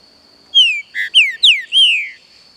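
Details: Green-winged saltator kept by a licensed breeder, singing against forest sounds: a short phrase of five loud whistled notes, mostly slurred downward, the second a lower buzzy note, the last a long falling whistle, over a steady high insect-like hum.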